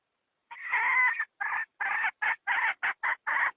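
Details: A hen calls to draw wild chickens into traps. One long, harsh note is followed by seven short clucks at a steady, fairly quick pace, with a quiet background.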